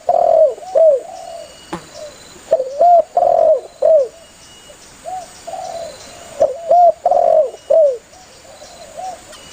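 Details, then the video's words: Spotted dove calling its companions, a lure recording for dove hunting: groups of low cooing phrases, a short double coo then a longer falling coo, with softer answering coos between and a faint steady high hiss. "Suara burung tekukur Gacor memangil temannya"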